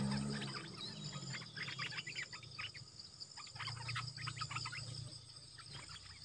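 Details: Stripe-throated bulbuls, wild birds answering a caged decoy bird, recorded 1 April 2021; wild birds approached but would not come down, likely tending chicks in a nest. Dense bursts of quick chattering, bubbly notes, over a steady high insect hum.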